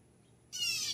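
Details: Blue Jay calling, a bird that seems to announce when it arrives and when it leaves: one harsh, raspy, buzzy note about half a second long that breaks suddenly out of quiet surroundings.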